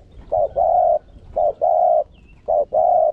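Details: Spotted dove decoy cooing to push other doves to call: three low, hollow phrases, each a short note followed by a longer sustained coo, spaced about a second apart, over faint low background noise.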